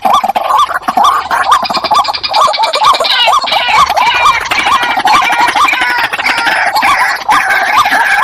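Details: A white-breasted waterhen pair calls in a long, steady run of short hooked notes, roughly two per second, against a dense, hissing wash of higher-pitched background noise.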